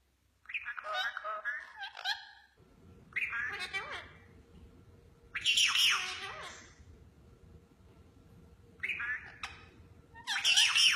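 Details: Ringneck parrots chattering to each other indoors: bursts of harsh, squawky, speech-like chatter about every three seconds, with a steady low hum in the background.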